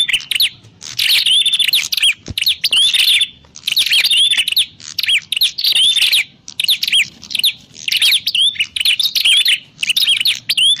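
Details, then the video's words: Prinia sounds meant to draw birds for trapping: dense, fast bursts of high, sharp chirps repeated roughly every second, with brief pauses and occasional upward-flicking whistles. "Suwara Burung Prenjak_klawu Buwat_Mikat"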